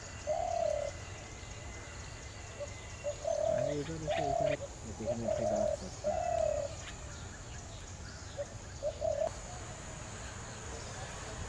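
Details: Birds in the village of Akkalksi, Naldanga upazila, Natore district, Bangladesh, where flocks draw visitors; low dove-like cooing phrases come in short bursts with pauses, over steady rural background hum.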